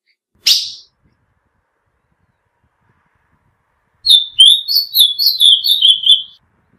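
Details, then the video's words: Female ultramarine grosbeak call for exciting males: a single sharp chip, then after a long pause a quick run of high, warbled whistled notes lasting about two seconds. "PIADO DE AZULÃO FÊMEO Para Esquenta qualquer Azulão!"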